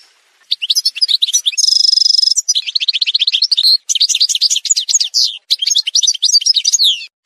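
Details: Algerian goldfinch montage song that opens with a buzzing rattle, then runs of repeated chirps and lively tinkling twitters, with brief breaks between phrases.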